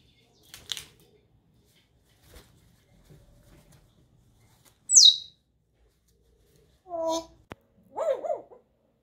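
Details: African grey parrot kept as a pet, playing on its small swing indoors: scattered soft clicks, then a sharp whistle sweeping steeply downward, followed by two bursts of harsher, harmonic squawks and chirps in a quiet room.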